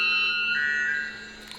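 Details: White bellbird (Procnias albus) giving a loud, ringing metallic tone with strong overtones that shifts pitch partway through, heard in a small room.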